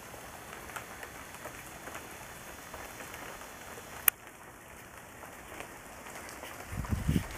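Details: Steady rain-like hiss fills the recording, broken by one sharp click midway and a low rumbling burst near the end, with no animal calls heard.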